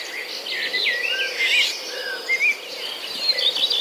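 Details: A Black-naped oriole in the wild gives fluid, slurred whistles that rise and fall, against a busy backdrop of high chirps and insect-like trills.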